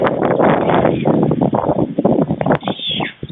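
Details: Two white stork nestlings being fed by their father at a nest in Fohrde, Germany, 16 July 2019 around noon: loud, fast, uneven rattling pulses that thin out toward the end, with a brief high bird whistle.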